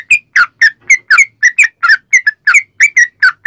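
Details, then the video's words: Sooty-headed bulbul in lively long ropel song, used to lure others into singing: brisk clear notes, often doubled, about four per second, each with a quick upward or downward inflection. "trucukan gacor ROPEL PANJANG buat pancingan trucukan agar bunyi"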